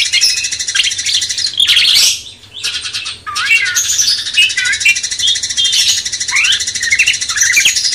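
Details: Cucak cungkok bulbul song used as master training for a magpie-robin: short whistled, slurred notes rising and falling, set against a dense, continuous high chattering and buzzing background of other birds.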